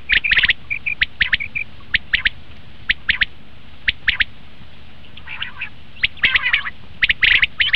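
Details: Common quail, a hunting lure call, with sharp clipped notes in pairs and clusters, short soft whistles early on, and a rougher dense burst after six seconds, over faint background hiss.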